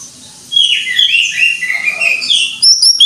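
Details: A greater green leafbird in energetic 'gacor' singing: a dense, scratchy jumble of high chattering and twittering notes, ending with sharp high squeaks.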